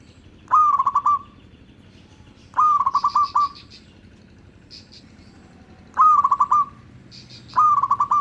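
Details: Zebra dove of local stock, song used to attract other zebra doves: four repeated staccato phrases, each a fast burst of clipped notes ending in a short held tone, every two to three seconds, with faint high chirps between.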